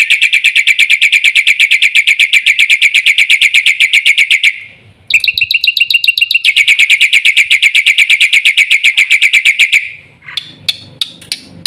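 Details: Black-winged myna giving long runs of rapid, harsh, buzzy repeated notes, about three per second-fraction, broken by a short higher chattering burst, then sparse clicks at the end.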